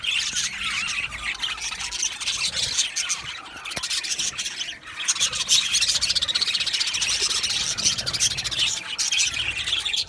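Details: Budgerigar colony in an aviary, many birds chirping at once: dense, scratchy high chatter with overlapping warbles and squeaks, continuous throughout with brief dips.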